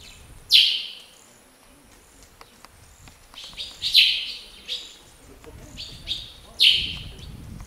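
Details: Northern Grey-headed Sparrow (Passer griseus ugandae) in Akagera National Park, Rwanda, March 2013, gives three loud, bright chirps about three seconds apart, with softer chirping notes between, against a quiet outdoor background.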